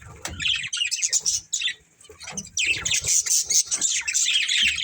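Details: Budgerigars from a breeding pair chirping in quick, scratchy bursts, a short lull midway, then a fuller run of twittering warbles and squawks.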